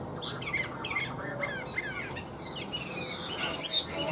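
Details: Caged tame Chinese hwamei for sale, mixing harsh, scratchy notes with long, high drawn-out whistles and quick chattering bits in a varied song.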